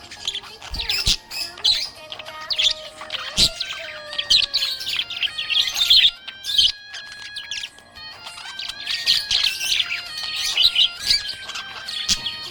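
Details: Happy budgerigar chattering in a rapid, continuous stream of high chirps, tweets and scratchy warbles, with a held musical backing tone underneath.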